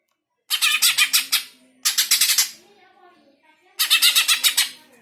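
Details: Greater green leafbird, used to provoke pet birds into singing; three bursts of quick harsh pulsed rasping notes, each just under a second, separated by pauses.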